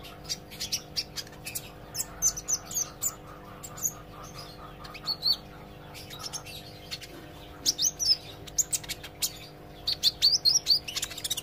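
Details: Olive-backed sunbird, apparently a kept bird, learning to sing with full song and chatter: bursts of very high, thin, sharp chirps and short twittering runs, irregular and clustered near the end, over a steady low electrical hum.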